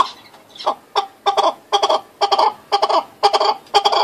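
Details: Loud, grating chukar partridge clucks, delivered as doubled or broken notes roughly twice per second and building in strength after a quiet start.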